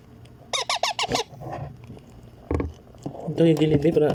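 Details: Pet baby Indian ringneck parrot during hand feeding gives four rapid raspy arched calls, followed by rustling, a thump and what sounds like human voices near the end.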